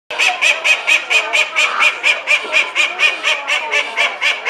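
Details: Indian runner duck at Henley County Show, giving loud, harsh, honking quacks repeated steadily about twice per second in a rhythmic series, rich and nasal, with no other clear sounds.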